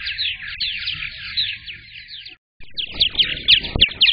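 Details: At a purple martin nest during egg laying, 15 May 2022: steady rapid warbling chirps, a brief silent gap, then more chattering notes over low thumps.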